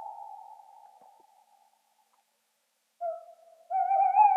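Tawny Owl hooting: a long, fading hoo, a pause of about a second, then a short note and a long, quavering, wavering hoot.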